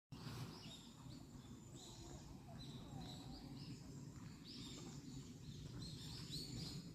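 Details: Wild birds singing along a forest path at Naejangsan, short high chirps and twittering phrases repeating through the clip over a steady low rumble of background noise.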